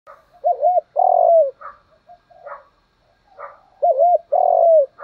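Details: Spotted dove decoy cooing to lure wild doves, mixing calling and urging coos: mellow arched low notes, then a long sliding coo, the phrase repeated twice with soft fainter notes between.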